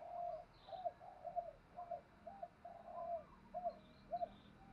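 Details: Spotted dove decoy calling to lure wild doves; faint, evenly repeated hooting coos, roughly two per second, heard through steady low rumbling background noise.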